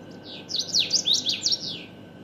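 A common waxbill gives a quick burst of high, buzzy, slurred twitters lasting about a second, over faint background hiss.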